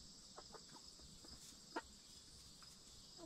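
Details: Faint, spaced clucks from backyard hens in a coop as they settle in the evening before roosting, one sharper cluck standing out midway, set against a steady high hiss.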